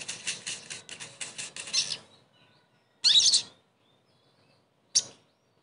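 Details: Crested jay (sogon) lure sound to stimulate a bird that has stopped singing; a two-second run of rhythmic scratchy chatter, then two short sharp bursts after silences.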